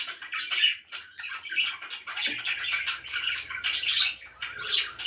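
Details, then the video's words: Pet budgies sounding very happy, a dense continuous chatter of scratchy chirps and squawky notes with a few brighter whistled tones, several birds overlapping, and a low steady hum in the background. "VERY HAPPY BIRDS #chirpingbirds #budgie"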